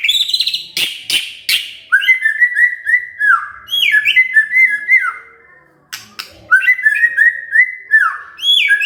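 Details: White-rumped shama provoked into answering, singing vigorously within three minutes: rich, varied whistled phrases, some rising and falling, mixed with sharp short notes and a brief pause midway.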